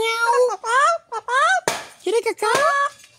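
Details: A talking parrot recorded 11 October 2024 imitates Spanish words like "mi amor" and "frío" and dog barks, chattering in short harmonic voice-like phrases bending up and down, about five bursts in three seconds, with a sharp knock between.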